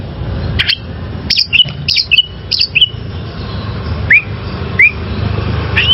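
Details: Oriental magpie-robin, wild-caught, singing for training caged birds: a sequence of sharp descending whistled phrases, followed by spaced, clear upward-curving whistles about every second; steady low background rumble.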